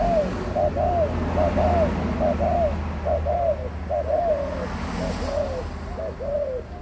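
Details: Spotted dove, an adult of 18 months, gives a steady run of mellow two-part coos, each short note followed by a drawn-out falling one, over constant low hum and faint voices.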